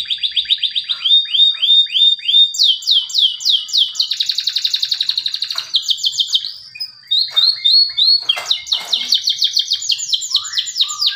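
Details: Male canary performing a lure song for birds that have fallen silent and for young canaries: descending chip series, a sustained rattling trill, then varied swept notes and loud rapid phrases, with very little background sound.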